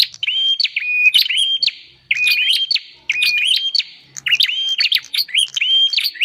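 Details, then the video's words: Lure sound of a bar-winged prinia for drawing in wild birds: loud, clear whistled phrases of a held note broken by quick upswept chirps, repeated about once a second in clusters, over a quiet background. "Suara pikat burung prenjak paling ampuh"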